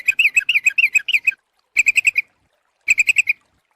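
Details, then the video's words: Sooty-headed bulbul calls for luring birds: three clean bursts of fast, bright, slightly buzzy chips, the first long run about a dozen notes, then two shorter runs of five or six separated by silence. "suara pikat burung trucuk ampuh"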